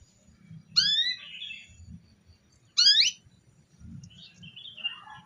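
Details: A female canary calls to stir a male into song, giving two bright rising harmonic chirps about two seconds apart, each trailing into twittering, over a faint low background hum.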